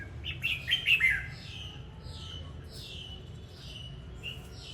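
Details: Red-whiskered bulbul singing, a short burst of bright warbled notes near the start, then fainter sliding whistles repeated through the rest against low steady background hum.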